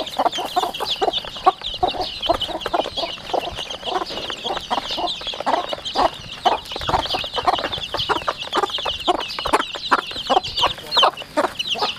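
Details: Home-raised 40-day-old chicks in a rural yard: constant shrill peeping from many birds at once, mixed with frequent short, lower clucking notes and soft tapping noises.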